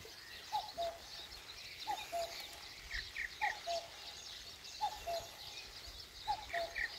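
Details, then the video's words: Common cuckoo calling at dawn in the Korean countryside. A soft two-note cu-ckoo, the second note lower, comes five times at roughly one-and-a-half-second intervals. Thin chirps of other birds and a steady background hiss are also present. "시골의 새벽녘 뻐꾸기와 새소리"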